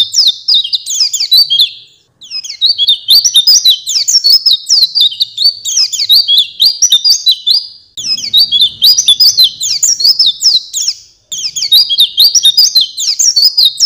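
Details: Master recording of Oriental white-eye song for tutoring songbirds: five long bursts of shrill, rapid twittering and chattering notes, each separated by a short break.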